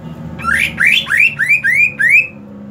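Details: Greater green leafbird in the hot season delivering a run of six rising, buzzy slurred notes in quick succession, each sweeping upward and harsh with strong overtones, then fading to a low hum.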